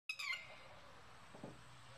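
A single shrill, sharp red-wattled lapwing alarm note that falls slightly in pitch, followed by a soft low thud and quiet background hiss.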